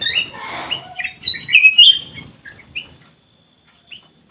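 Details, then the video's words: Bulbul, a songbird known as kutilang emas, singing in a lively, chattering way: bright whistled notes and quick slurred phrases that peak in the middle, then taper into a few soft, scattered notes with quiet pauses. "KUTILANG EMAS GACOR COR COR"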